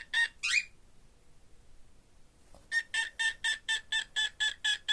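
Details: A pet female cockatiel vocalizes in response to the owner's finger movements, giving two harsh chirps, including a rising squawk, then a quick run of repeated bright notes.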